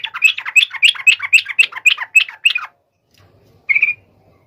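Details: A sooty-headed bulbul sings to call a rival, delivering about ten evenly spaced, bright chirps in quick rhythm, then a pause and one lone buzzy note.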